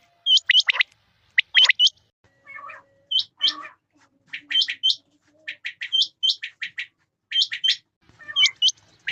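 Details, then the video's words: Male and female quail calling in rain: bright, sharply hooked high chirps in quick pairs and triplets, mixed with softer, lower chattering notes between bursts. "Rain Male Female Quail Beautiful Sounds"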